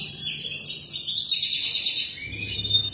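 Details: European goldfinch song for fledglings to learn, a continuous stream of high, jangling twitters and buzzy trilled phrases, loud throughout with little break.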